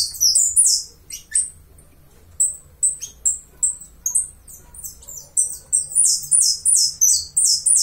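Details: A Uruguayan saffron finch sings a bright, fast phrase, pauses briefly, then delivers a series of sharp, high chirps that quicken into a continuous, jingling run of buzzy notes.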